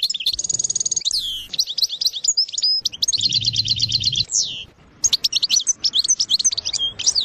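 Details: Goldfinch sersir song with fast, even buzzy trills and rolled notes, mixed with sweeping slurs and bright twittered chips, phrases following one another almost without pause.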